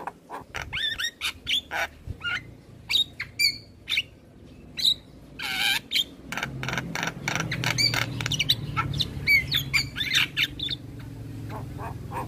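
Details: A male Black-winged starling sings a full song to train young starlings: spaced sharp clicks and short whistled chips, some harsh squawks, becoming denser midway over a low rumbling background.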